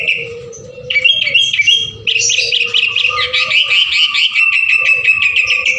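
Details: Sooty-headed bulbul singing energetically, used as a lure to get other birds to sing; bright whistled phrases with rapid chirpy notes, nearly continuous after the first second, over a steady low hum.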